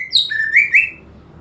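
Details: Greater green leafbird song used to stir aggression: a brief, bright whistled phrase that drops, then swells into two rising, ringing notes before fading.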